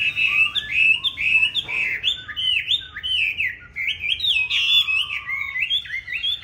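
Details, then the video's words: Chinese hwamei of the green-bean-eyed type giving fighting song, used to train other hwamei to sing smoothly: a continuous, varied run of loud whistled phrases, each slurring up and down, with one lower sustained note midway. "Họa Mi Mắt Lục Đậu Thanh Hót Đấu ( Dùng luyện Mi hót bài êm không gắt )"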